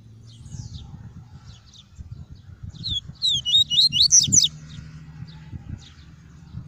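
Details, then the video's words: Double-collared seedeater in a cage singing tuí tuí song meant to stimulate other seedeaters: faint scattered chips, then about one second of rapid, high twittering notes, with steady low background noise throughout. "PAPA CAPIM CANTANDO MUITO! TUÍ TUÍ PURO - ESQUENTE SEU PAPA CAPIM EM 5 MINUTOS!"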